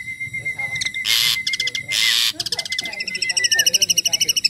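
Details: Tame Asian pied starling singing a 'full isian' song: harsh broadband bursts alternating with rapid pulsed, harmonic notes and a thin steady whistle, the pulses speeding into a fast rattling series toward the end.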